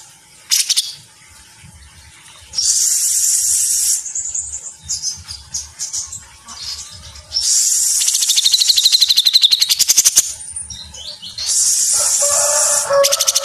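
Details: Cucak jenggot, the grey-cheeked bulbul, in full song in the mesetan rapat style: long hissing, buzzy bursts alternate with fast clicking trills and brief lower whistled phrases, separated by quieter gaps.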